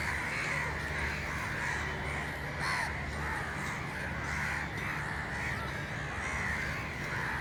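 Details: Loud, dense crow calling: rasping caws overlapping almost without pause, several birds at once, over a low steady hum.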